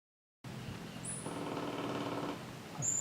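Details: An Olive-backed Woodpecker at Fraser's Hill, Malaysia, 30 Nov 2014, one of a male and two females together, drums a single fast, even roll of about a second, territorial drumming suggesting residence. Thin high whistles from other birds come before and after.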